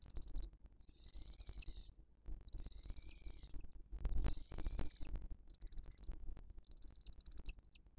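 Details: At a Booted eagle nest in 2023, the female feeding her chick after other birds attacked her: a series of long, high, quavering wheezes, each about a second long, over strong low-frequency rumble and occasional thumps.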